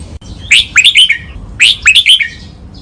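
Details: Red-whiskered bulbul song played as a training recording, in the double-phrase counted style known in Thailand as 'ber song nap dok', a 'lak wai' master song: two clear, quick bursts of sweet, warbled whistles, each packing four or five bright notes.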